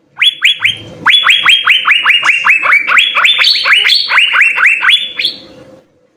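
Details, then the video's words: Asian fairy-bluebird singing intensely, a master recording for tutoring songbirds: three opening whistles, then a continuous rapid sequence of rising, levelling whistled notes, some jumping higher near the end. "suara 4 CUCAK BIRU GACOR full isian SI BURUNG SURGA"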